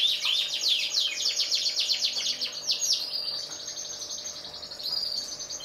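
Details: Song from black-red and ordinary yellow canaries: dense, rapid trills of high notes, rolling phrases and buzzy runs, changing texture every second or so, sung without pause.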